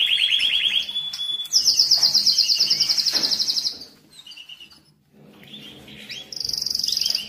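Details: Canary singing meant to rouse males and prepare females for breeding, moult and rest stage: a mid-pitched roll, a bright high fast trill, a quiet gap with faint notes, then a renewed high trill.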